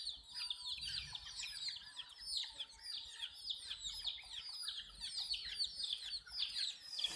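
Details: Baby chicks drinking water, a dense chorus of high, downward-sliding peeping chirps overlapping continuously, with no pauses and many chicks calling at once.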